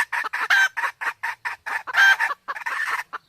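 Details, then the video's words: Male and female jungle fowl of Sumatra, hen in heat, recorded as a hunting lure: dense rapid clucking, nearly continuous, with two louder harsh notes mid-run. "suara ayam hutan Sumatra || jantan betina kombinasi betina birahi"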